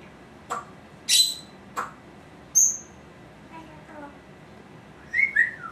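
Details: Female Congo African grey parrot kept as a pet, vocalizing indoors: sharp high chirps and short whistled bursts, one bright descending whistle, soft warbling notes, then two quick rising two-note whistles near the end.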